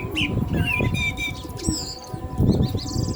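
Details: Common blackbird singing along with the call to prayer. Brief fluted notes and high squeaky flourishes sit over strong low rumbling noise and the steady chanting tone.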